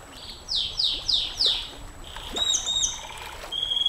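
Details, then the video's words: Canary, long 'nembak panjang' song used to tutor and provoke other canaries: four loud descending swoops in a row, then softer high chips and a thin held whistle, with a faint background hiss. "Suara KENARI NEMBAK PANJANG, Untuk Masteran Dan Pancingan KENARI SANG JUARA, Canary Sound"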